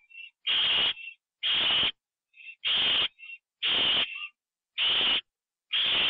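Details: Owl in a nest on 9 October 2011 at night, after a bird was brought in as prey; steady harsh hissing screeches spaced about a second apart, each framed by short thin whistles.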